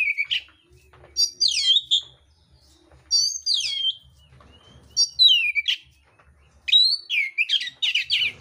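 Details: Fighting oriental magpie-robin delivering coarse, varied song. Repeated bursts mix high whistles, falling slurs and scratchy chattering notes, about every one and a half seconds, with short silences between and a soft low hum behind.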